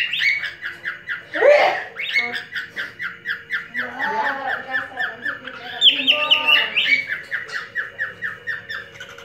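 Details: Caged male cockatiel from a parrot breeding collection courting a female with his special whistling: a long fast series of bright, buzzy chirped notes repeated several times a second, with louder harsher bursts near the start and middle, indoors.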